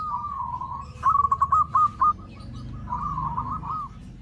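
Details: Lure call of a zebra dove meant to attract others of its kind: quiet trilled cooing, a cluster of sharper clipped notes, then a softer rolling phrase over steady low background hum.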